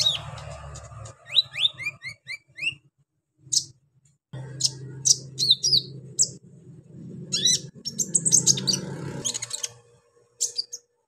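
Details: Brown-throated sunbird, known locally as kolibri ninja, singing energetically in a rough, harsh style meant to provoke untrained sunbirds: rapid high, thin up-slurred chirps in a quick series, then scattered sharp squeaky notes and buzzy bursts over a low hum.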